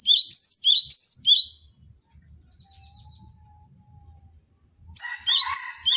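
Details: Cinereous tit song on a cage-bird training track: three quick high whistled two-note phrases, a long quiet pause with a faint thin tone, then more phrases overlapping lower chattering notes.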